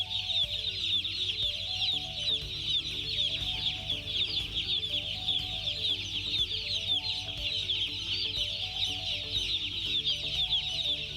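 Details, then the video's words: Shrill nonstop peeping from a crowd of broiler chicks, high overlapping chirps throughout, with a melodic music track audible below. "Broiler chicks"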